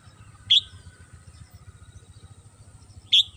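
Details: Morning song of a Red-whiskered bulbul kept at home: two brief, piercing high chirps about two and a half seconds apart over a soft, steady ticking background.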